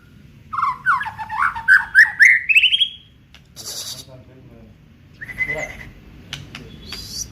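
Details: White-rumped shama of the Aceh type, daily song with isian: a tumbling run of rapid slurred whistles that climbs steadily in pitch for about two seconds. After a pause come a brief rasp and a quieter whistled phrase.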